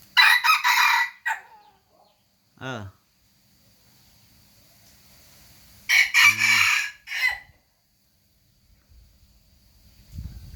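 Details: Rooster crowing twice, about six seconds apart: each crow is a loud, harsh, broad-toned burst broken into several segments, with a short rattling cluck between them and quiet background.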